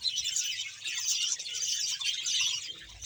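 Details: Bahawalpur, Pakistan: a captive budgerigar colony of about a hundred birds giving a thick, steady stream of high twittering chirps and warbles from many birds at once.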